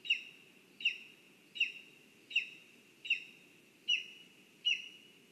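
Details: Lesser spotted eagle calling from a nest in a spruce, Zemgale, Latvia, on a live nest camera: seven evenly spaced high yelps, sharp onset with a sustained fading tail, roughly one every 0.75 seconds, with faint low background hum.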